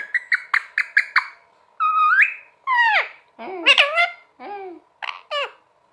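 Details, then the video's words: Parrot talking: a quick run of six clipped, evenly spaced notes, then longer speech-like syllables with swooping, bending harmonics, some rising and some falling, delivered in a jumbled, babbling sequence. "Parrot Sound Talking Parrot Bolne wala totha"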